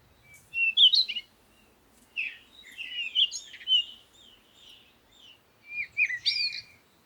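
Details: Separate phrases of high, twittering song from a bird, with rapid chirps, slurred whistles and upward sweeps, broken by short quiet gaps.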